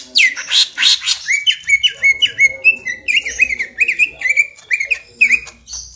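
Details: Young greater green leafbird doing ngentrok: a few harsh opening notes, then a steady string of quick whistled notes that flick up and down, repeated several times a second.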